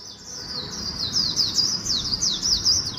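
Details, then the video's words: High, unbroken twittering warble from a Swinhoe's white-eye singing the speedy 'líu cựa đuôi' style with magpie-robin phrases, each thin note sliding quickly down and up in rapid succession. "Vành khuyên líu cựa đuôi pha chòe tốc độ"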